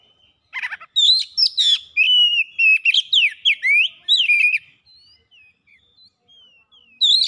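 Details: Oriental magpie-robin singing vigorously as a lure, spilling out mimicked notes: a rattling burst, then fast varied whistles, twisting slurs and clicks for about four seconds, soft scattered whistles, and a final loud outburst.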